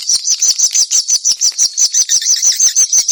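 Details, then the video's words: Swallow call: a steady train of high, clipped chirps, each a quick double note, repeated evenly about three times per second over a faint background twitter. "swallow call sound"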